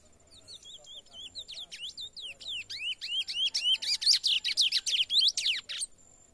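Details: Young chestnut-bellied seed finch singing out in the bush, just starting to open up its song: a run of clear whistled slurred notes building into a fast, loud series of repeated sharp chirps and trills, about four per second.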